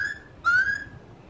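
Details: A laughingthrush, presented to schoolchildren for its beautiful singing, gives a pure whistled note followed by a longer, slowly rising whistle, clean and tonal against a quiet background.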